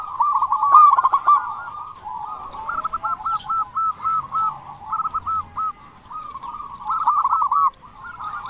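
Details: Strong-voiced local zebra doves used to coax quiet doves into singing: runs of quick looping coos in rhythmic groups, several birds overlapping, with a brief lull before a final loud run.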